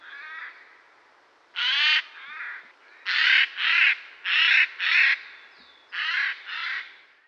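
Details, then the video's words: Eurasian jay (Garrulus glandarius) giving harsh, rasping screeches, mostly in pairs, about seven calls over seven seconds, while a fainter bird calls in the background. "Vogelstimmen: Der Eichelhäher"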